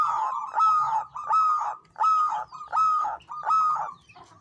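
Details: Local Javanese zebra dove (perkutut lokal), a champion bird in lively 'gacor ngancing' song style: five loud, rich, rolling coos with strong overtones, each under half a second, repeated steadily about every three-quarters of a second.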